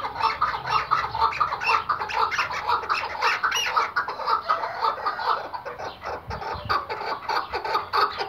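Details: Chukar partridge, an Iraqi hunting bird of the white-banded type, gives a long, dense series of rough chuck notes, around two per second but uneven, with overlapping clucks suggesting more than one caller.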